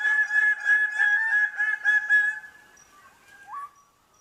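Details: A greater bird-of-paradise in Indonesia gives a fast run of loud, nasal, honking notes, about four a second, then a softer rising note after a pause.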